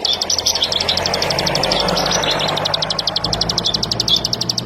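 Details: Bar-winged prinia's rapid high note series, a regular ticking trill heard over a broad wash of mid-pitched background noise like passing traffic.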